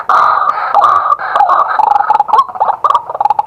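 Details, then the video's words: Male White-breasted Waterhen calling during the day, recorded live with a set-up camera: loud, harsh, croaking notes in a rapid, uneven run, with clucking and gulping sounds between them. "เสียงนกกวัก ตัวผู้"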